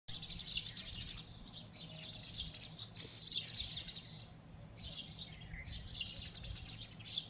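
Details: Sparrows chirping loudly at a nest, a male apparently torn between two females: a steady stream of bright, harsh, overlapping chirps with a low background rumble beneath.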